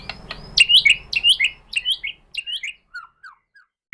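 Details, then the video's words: White-rumped shama lure song meant to provoke a reply: a string of clear whistled phrases, each a quick upslur and downslur, delivered in a steady rhythm and growing fainter toward the end, over a faint low hum. "pancingan MURAI BATU bikin EMOSI NYAUT"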